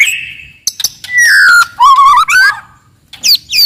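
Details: Wild forest white-rumped shama singing very loudly and aggressively to provoke rivals: clear whistled phrases, a long falling whistle, then buzzy wavering notes and sharp high chips, with short pauses between.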